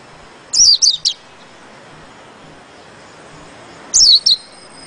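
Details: Two short phrases of high, sharply falling whistles from a white-eye, three notes each, separated by about three seconds of quiet.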